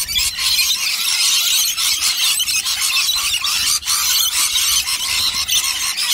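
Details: Huge gathering of rainbow lorikeets, organised flock feeding on nectar, producing loud, nonstop shrill squealing and screeching chatter with brief dips in intensity.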